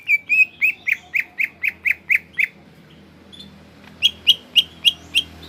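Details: Gropyokan gacor song of a greater green leafbird: a rapid string of about a dozen sharp whistled chips, a short quiet gap, then another burst of five or six ringing notes over low background hum.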